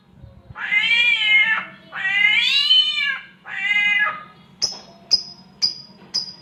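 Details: Samyong imitating a mating cat with three strained, harmonic meowing wails, then four sharp, high whistled pips spaced about half a second apart.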